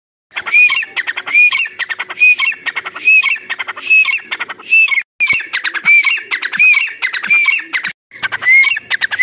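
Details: A grey francolin, possibly a female, calls loudly in harsh, grating phrases, each ending in a ringing rising note, repeated about once a second with short pauses.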